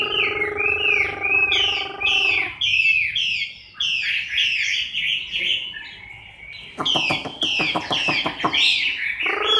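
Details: A moulting Chinese hwamei in October 2015 delivers rapid, looping whistled notes. Brief buzzy harmonic hum opens and closes the passage, with a burst of sharp rattling clicks near the end.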